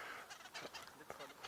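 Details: In a Kenyan national park on a beautiful morning bush walk, a Greater Honeyguide at the top of a tree gives harsh, chattering alarm notes in quick, uneven bursts; it has possibly seen a leopard, and honeyguides lead people to beehives.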